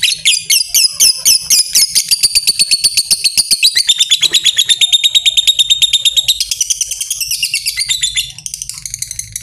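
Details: Fighter lovebird keeps up a long 'ngekek panjang' trill, the sound used to train lovebirds to sing long: piercing, closely spaced chattering notes, about two a second, steady for eight seconds before fading, over a faint low hum.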